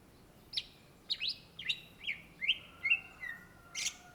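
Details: Greater green leafbird, locally Cucak Ijo, from Indonesia, singing steadily: a regular run of short chirped notes about twice each second, stepping down in pitch, ending in a harsh, noisy burst.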